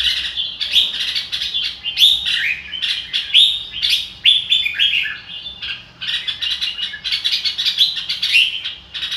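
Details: Red-whiskered bulbul in "ro kích bòi" song, energetic runs of sweet whistles and chirps tumbling together, with a brief lull near six seconds before another busy burst.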